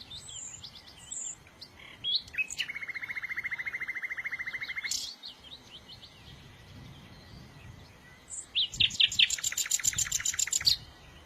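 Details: Songbird chorus: scattered high chirps, then a long, even, buzzy trill held for over two seconds, a pause, and finally a loud, fast rattle of sharp high notes.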